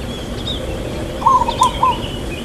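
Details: Single phrase from a local zebra dove's long "kuk" song in irama lelah rhythm: a drawn-out first coo followed by two shorter ringing notes, over faint background chirping.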